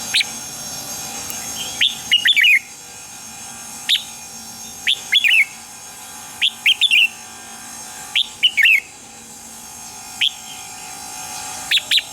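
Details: Morning fired-up song of a red-whiskered bulbul: lively phrases of slurred, falling whistles and single sharp notes repeated every two seconds or so, over a constant buzzing hum.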